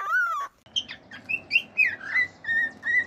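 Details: Male pet cockatiel kept at home, singing its natural songs: a long clear whistle, then a run of short whistled notes that bend up and down, several level and repeated about twice a second.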